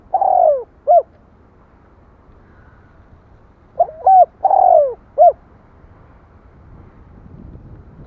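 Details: Two spotted dove coo phrases, the first partly cut at the start, each ending in a long falling coo and a short note; low rustling noise rises toward the end.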